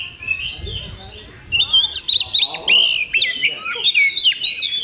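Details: After a quiet start with soft background murmur, an Oriental magpie-robin at an 8 October 2020 bird contest breaks into loud, rapid whistled and chattering phrases with sharp slurred notes.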